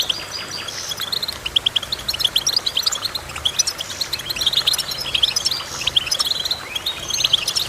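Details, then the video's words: Goldfinch singing a steady stream of quick, bright chirps and twittered notes, closely packed and overlapping, with a few short upward-sliding whistles amid the busy high-pitched chatter. "Goldfinch Chirping"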